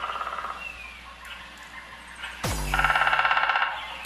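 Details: A woodpecker in a quiet, snowy winter forest in Hokkaido, Japan, gives a fast, even drum roll of wooden taps, perhaps pecking holes while searching for food, with soft music underneath.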